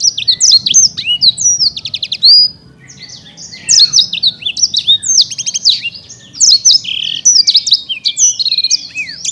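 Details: Prize-winning caged black-throated canary delivering a lively, varied song of high sweeping whistles, quick rattling trills and chirps in long phrases, with one short pause midway.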